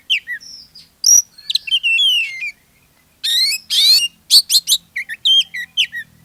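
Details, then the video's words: Oriental magpie-robin used as a singing lure for other magpie-robins: long whistled notes, a scratchy buzzing rattle, then quick ringing chirps and descending slurs, delivered loudly with a short pause midway. "SUARA PANCINGAN KACER GACOR, BIKIN KACER YANG LAIN IKUT GACOR"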